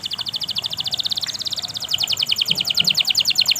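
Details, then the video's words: Canary singing in the long 'gacor' style, played to stimulate canaries that rarely sing: an unbroken, fast rattling trill of bright high notes, roughly seven per second, growing louder and fuller toward the end. "pancingan suara burung kenari gacor panjang!"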